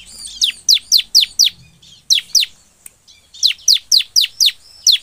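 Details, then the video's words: Bar-winged prinia singing in the emotional 'nembak' style, used as a lure recording to get other birds to sing quickly. Loud, sharp, downward-sweeping whistled notes come in rapid bursts of four to six, with short pauses between the bursts. "SUARA CIBLEK NEMBAK PENUH EMOSI"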